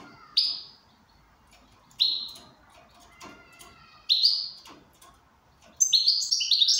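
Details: ['Goldfinch in good form giving three separate downward-sweeping nasal notes about two seconds apart, followed by a quick burst of tinkling twitters.']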